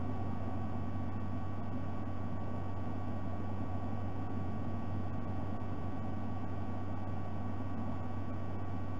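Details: Steady low electrical hum and hiss from a nest camera at night, with no animal call heard.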